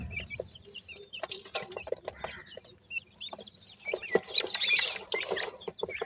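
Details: Indian francolin chicks calling with many brief high peeps and chirps in quick loose bursts, thickening near the end, over frequent clicks and rustling.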